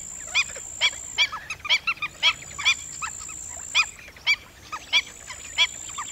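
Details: Black-winged stilt calling: sharp, nasal yelping notes, some doubled, repeated irregularly about every half second, with fainter calls behind and a steady high-pitched whine throughout.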